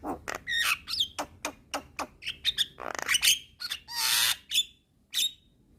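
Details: Jalak kebo (Javan myna) with white eye, chatty training song: a run of sharp clicks and whistled slurs, then a broad rasping hiss before a final high note.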